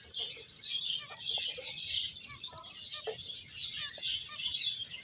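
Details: Several finches chirp busily while playing and eating, producing a steady wash of high, quick tweets with occasional brief lower knocks and taps.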